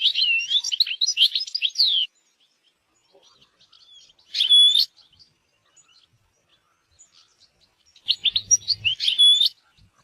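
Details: European goldfinch in nature: three phrases of rapid liquid twitters mixed with clear whistled notes, separated by quiet gaps, with faint scattered chirps between phrases.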